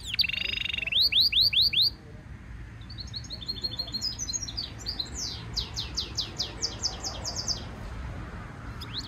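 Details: Singing European goldfinch mule hybrid in song training. It opens with loud harsh buzzy trills and sharp slurred notes for two seconds, then continues with softer, rapid repeated twittering notes against low background hum.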